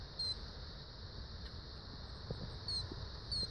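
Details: Killdeer chicks at Luscher Farm very late in the evening give three thin, high, slightly falling peeps spaced a second or two apart over a steady low rumble of wind or distant traffic.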